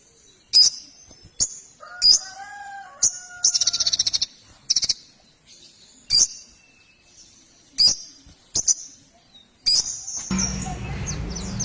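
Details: Young white-rumped shama (sogon) in full song with fill-in phrases: loud, sharp, high chirps and whistles come in separate bursts about a second apart, with a brief rattling run near four seconds and a rustling noise at the end.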